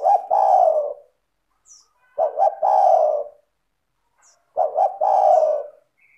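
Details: Lure recording of a spotted dove singing richly and without pause: three phrases, each two short coos rolling into a long low coo, repeated roughly every two and a half seconds.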